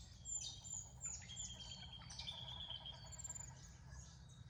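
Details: Western rosellas at a garden bird bath in Australia, giving a busy overlapping series of high, thin whistled chirps and short sliding notes, several voices close together throughout, over a faint low background rumble.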